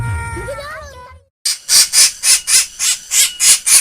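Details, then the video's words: Black bird with a strange, laughing voice: after a brief human voice, a rapid series of about eight harsh, high-pitched pulses repeats at an even, cackling pace. "burung hitam bersuara aneh ngakak"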